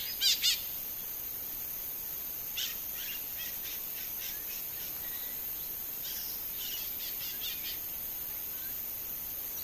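Chalk-browed Mockingbird opens with two loud, harsh high notes, then fainter runs of quick, scratchy notes. A steady high hiss runs underneath.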